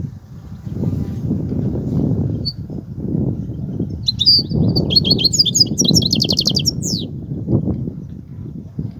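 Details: European goldfinch singing the kobia style: after several seconds of low rumble, a lively passage of quick high twitters and buzzy trills, ending in a falling slur.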